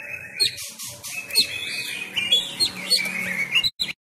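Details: Oriental magpie-robin of the Sumatran type, caged and trained at home during the COVID-19 lockdown, giving fighting-style song: dense high chirps and thin whistles about once a second over a steady buzzy backdrop.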